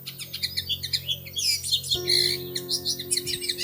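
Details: Bushtits, a pair nesting in plum tree branches, seen at treetop level from a window in early May: dense high, thin chips and twitters in rapid overlapping bursts, over steady low sustained tones.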